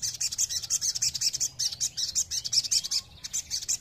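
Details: Sogon singing as a lure meant to provoke other birds to answer: a long, steady stream of very high, sharp chirps repeated rapidly, several per second, with a brief pause near the end before resuming.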